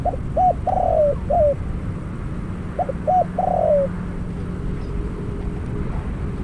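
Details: Spotted dove serving as a decoy bird for trapping, after its first catch: two repeated phrases of clipped coos leading into a long, buzzy coo that slides downward, separated by a brief pause.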